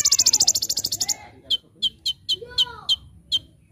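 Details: Olive-backed sunbird singing energetically in the full 'tembakan' style, recorded as a training master: a fast high pulsed burst, then evenly spaced piercing chips, with soft lower slurred notes in the background.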